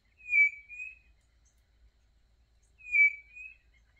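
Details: Two long, level, piercing whistles from a singing quail on a countryside smallholding, spaced about two and a half seconds apart, each with a softer tail.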